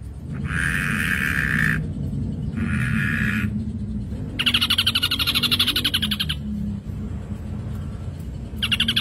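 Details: Chatty ashy drongo song for luring other birds: harsh buzzy bursts alternate with a long rapid pulsing trill, separated by short pauses, over a steady low hum.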